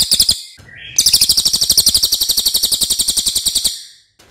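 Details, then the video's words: Loud Racket-tailed Treepie tutor song: a few quick notes, a short break, then a sustained rapid series of shrill, evenly spaced pulses lasting about three seconds. "MASTERAN CILILIN OKE BANGET"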